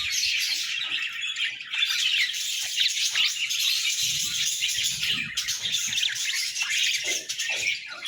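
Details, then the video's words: Paired budgerigars chatter together in a constant high, scratchy warble of rapid chirps and squeaks, with brief soft bumps underneath. "Sweet Budgie Conversations"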